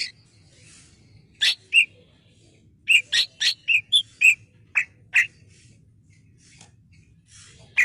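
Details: Clear-voiced male cucak kinoi bulbul used for song training, delivering a rapid series of bright, high, clipped chirps, about eight in quick succession after three seconds, each note short and sharp over a faint low background hum.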